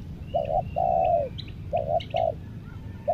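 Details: Spotted dove used as a decoy for wild birds in Lombok gives short paired coos and a long coo, then further clipped double notes. Faint chirps and whistles of other birds are audible.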